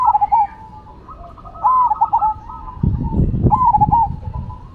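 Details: Cemani and Silver Zebra doves in a singing match: rolling cooing phrases with stuttered notes, and a burst of low rumbling handling noise midway.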